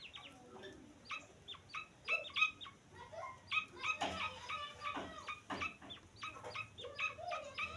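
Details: Grey francolin chick calling with dense, overlapping shrill peeps, rapid and irregular, several louder chirps near the middle, over a faint background hum.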